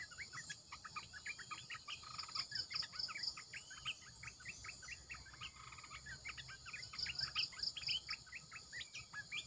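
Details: Caged Red-eyed bulbul used as a decoy: busy bubbling chatter of short sharp notes, several voices overlapping, set against a pulsing insect trill and a constant high-pitched hum.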